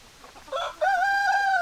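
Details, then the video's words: Rooster crowing: a brief rough opening note, then a long, loud, steady held crow with a slight wavering rise and fall, in a quiet setting. "Chicken Sounds Noises Hens Clucking Roosters Crowing"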